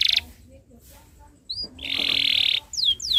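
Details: Canary tutor song meant for young birds learning to sing: a burst of buzz, a pause with a lone whistled note, then a steady harsh buzzing rattle followed by two long falling whistles.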